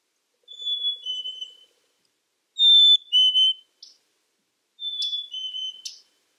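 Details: Black-capped chickadee singing three high-then-low whistled phrases roughly two seconds apart, with faint clicks and short sharp notes between them.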